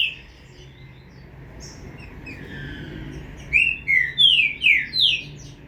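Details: Young green-winged saltator, a chick, giving five loud slurred, falling notes in quick succession near the end after a quieter stretch; faint low background hum throughout.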